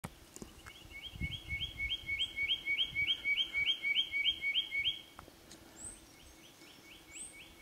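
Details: A male Spotted Quail-thrush in a tree overhead at Brisbane Ranges National Park, 11 October 2020, gives about fourteen thin, high, arched whistles, roughly four per second, replying to another whistling male; fainter whistles from other birds, including a third quail-thrush.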